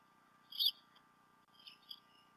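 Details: Bald eagles, both adults present at the Decorah North nest on a nest camera, 28 February 2016, after the male brought a fish to the female. A single sharp high whistled note, then two softer squeaky notes, over a low hum.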